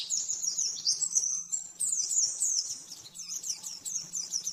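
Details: Oriental white-eye master song for training caged birds, rapid and very clear: dense high twittering trills and chirps in fast unbroken runs, with a faint low steady hum beneath.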